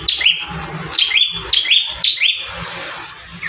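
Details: Prenjak tamu, the bar-winged prinia, in one of five song variations meant for tutoring caged birds: four quick, high downslurred whistles with sharp onsets, roughly every half second, over a soft background hiss.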